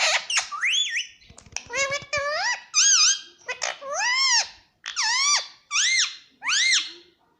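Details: Indoor pet Indian ringneck parakeet giving loud, clear squeaky notes that arch up then fall, delivered in about a dozen separate bursts, with faint tapping noises near the middle.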